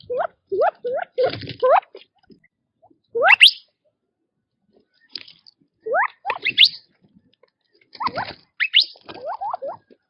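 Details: Quail feeding in natural habitat give short clusters of quick rising chirps, one steep sweep climbing very high, separated by pauses of a second or more.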